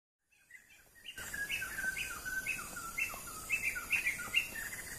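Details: Sumatran laughingthrush, one of the world's rarest laughingthrushes, in northern Sumatra (Aceh), giving a quick string of short, bright, slurred notes, about two per second, over a steady high hiss.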